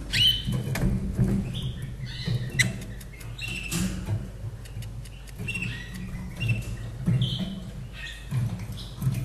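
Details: Slavujar canary from 2011, caged in Austria, produces scattered soft whistles and brief chirpy notes between pauses, partly masked by a loud low hum and clicks.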